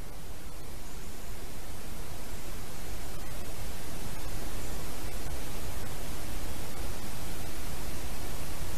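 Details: A steady wash of hissing static fills the recording from start to end, with only faint ticks and no animal voice.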